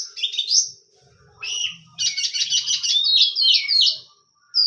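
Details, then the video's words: Energetic kacer song from an oriental magpie-robin: rising whistled slurs, then a long stretch of rapid buzzy rattling notes ending in quick whistled sweeps, with a faint low hum beneath. "Rawatan Kacer Tipe Panas"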